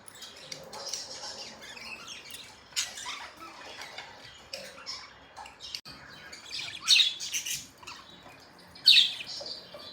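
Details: Pet budgies in the morning give soft, high chirps and twitters throughout. Two louder sharp chirps stand out near the end.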